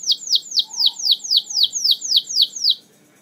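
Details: Canary used as a lure to prompt other canaries to sing: a fast series of about eleven clear downslurred whistled notes, roughly four per second, then silence.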